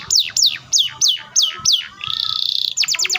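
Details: Canary song meant to spur other canaries: a series of loud downward-slurred whistles about three per second, a sustained buzzy trill, then a quick burst of rapid notes.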